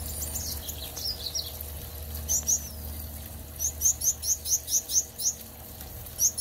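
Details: Gouldian finches in a backyard aviary, phone recording: sparse high squeaks, then a run of about ten thin, high, evenly spaced chirps, over a low steady hum.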